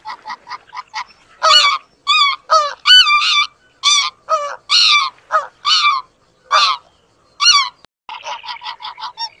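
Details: Greater white-fronted geese, filmed mating, give loud, high, yelping honks with a bent, laughing quality, about one to two a second, framed by quick clipped notes.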